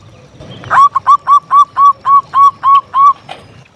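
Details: Local zebra dove singing steadily, used to lure and stimulate other doves: a run of about nine rounded, hooked cooing notes at even mid pitch, spaced roughly a quarter second apart, with a soft rustle underneath.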